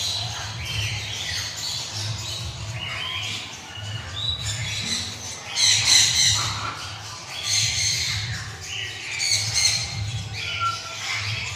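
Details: A playing male citron-crested cockatoo utters rapid, uneven bursts of rough squawks and short shrill notes, loudest around the middle and near the end, above a persistent low hum.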